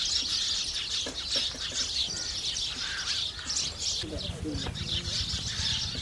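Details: House sparrows chattering while feeding, a steady mix of high chirps; a low murmur of other sound joins partway through.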